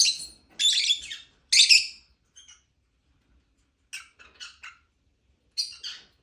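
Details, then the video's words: Lovebird chirping: short harsh high chirps in two bursts near the start, then quieter clipped chirp clusters after pauses, against a silent background. "Lovebird chirping sound"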